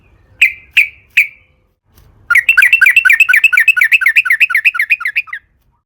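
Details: Sooty-headed bulbul song of the long-rolling 'ropel panjang' type, played to stimulate other bulbuls: three separate clear notes, then a fast, bubbly run of about twenty rising and falling notes lasting three seconds.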